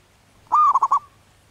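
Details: Cooing song, called anggungan, from a wild zebra dove in breeding condition: a single phrase with a steady sustained note that runs into three rapid throbbing pulses, then ends abruptly. Surroundings otherwise quiet.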